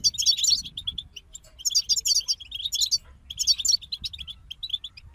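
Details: Group of European goldfinches singing, rich, tinkling twitter phrases interleaved with quick runs of repeated chirps, over faint low background noise.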